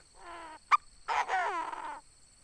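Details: Chinese francolin, a decoy bird, calling: a short harsh harmonic phrase, a sharp click, then a louder grating, rattling call of about one second with descending buzzy notes, plus a faint steady high hum.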